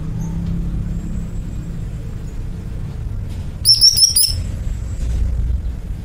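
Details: After several seconds of low rumbling background, a greater green leafbird (cucak ijo) bursts into a brief, rapid series of high chirps lasting about half a second.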